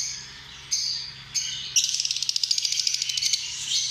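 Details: Lovebirds give a few separate sharp squeaks, then a fast rattling series of about twenty clipped notes, harsh and high, fading into continued chatter.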